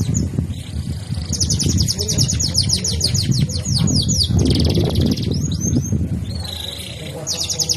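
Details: Canary rolling song of quick high descending notes in trilled runs and a few swept whistles, partly masked by strong low rumbling background noise.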